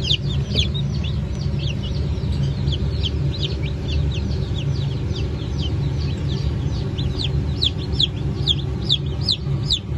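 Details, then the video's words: Fresh hatch of Brahma and Wyandotte chicken chicks, dated 1 May 2024, calling together in a chorus of sharp, falling peeps, repeated rapidly and overlapping, over a constant low-pitched machine-like drone. "Yeni Çıkım 01.05.2024 - Park Brahma, Modled, Wyandotte"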